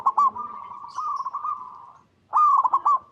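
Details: Zebra dove song meant to get other doves singing: a short pulsed start leads into a long, even rolling coo, followed by a loud staccato phrase after a brief silence.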